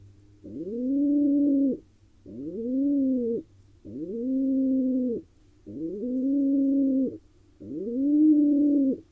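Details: Courting male pigeon calling to a female inside an Israeli nest box shared with wild barn owls, uttering five long, even, low coos that swell upward at onset, evenly spaced about every two seconds over a soft hum.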